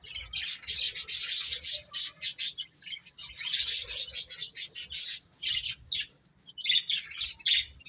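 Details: Young chicks feeding and playing: dense, overlapping high-pitched peeping in quick bursts for most of the recording, a brief lull near the end, then more chirps.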